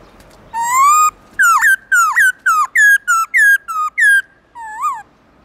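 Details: Morning forest-style song of a black-throated laughingthrush, long, loud and clear: a sustained whistle, a run of about nine down-slurred ringing notes, and a softer final rising-falling note.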